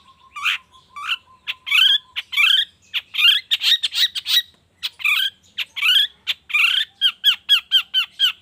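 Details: Long-tailed shrike in the morning, a lure to make shrikes sing: a long varied sequence of scratchy notes opening over a steady low whistle, ending in a fast even series of short hooked chips.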